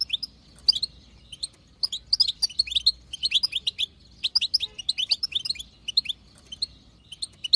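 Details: High, busy twittering chirps from a wild female European goldfinch, the batbata chatter played to draw song from males, running in irregular clusters throughout.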